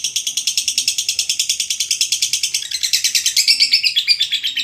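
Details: Long ngekek panjang chatter of a lovebird for masteran: rapid trilling pulses at a steady, rattling rhythm that drop slightly lower and grow louder toward the end.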